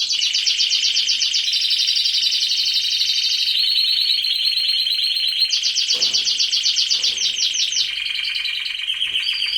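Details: Breeding-season aviary canaries deliver continuous rolling song: long unbroken trills at steady pitch, changing between higher and lower tours with barely a pause.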